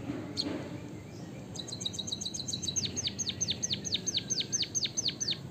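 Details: Long rolling canary-style song of a white-headed munia from Java: a single high note, then a rapid high trill that shifts into evenly repeated downward-swooping whistles about seven per second, with steady background hiss.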